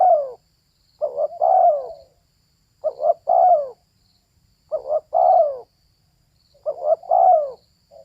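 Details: Female spotted dove giving repeated coo phrases about every two seconds. Each phrase is a quick stuttered double note, then a longer mellow coo that drops in pitch. Four phrases are heard against a still background.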